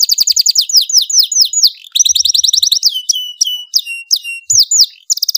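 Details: Canary with a loud, strong song, used to tutor young birds: high trills of rapid downslurred notes broken by separate sharp whistled swoops, alternating between fast rolls and slower spaced phrases.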